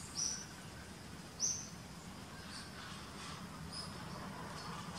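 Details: A Coppery-chested Jacamar (Galbula pastazae) with a fractured beak calls: two sharp, very high, slightly rising notes about a second apart, then fainter thin calls over a steady background hiss.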